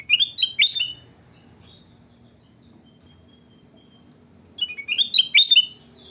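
A sooty-headed bulbul sings two short bursts of bright, bubbly chirping notes, about four seconds apart, with near-silence between.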